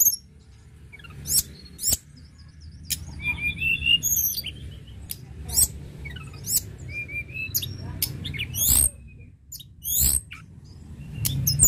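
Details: Lark (tledekan gunung), used to stimulate other larks to sing, gives a lively song of sharp, high chirps and short whistled phrases that rise and fall, separated by brief pauses, over a low steady rumble.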